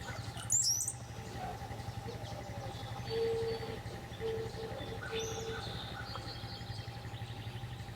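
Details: Brown-headed cowbird (Molothrus ater) call: one brief, very high, thin sliding squeal near the start, over a steady low mechanical hum and a few faint low whistles.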